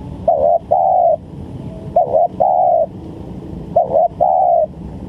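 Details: Spotted dove calling for use as a trapping lure. Three soft, low coo phrases, each a short two-part note then a sustained coo, repeated at an even pace with a quiet hum behind.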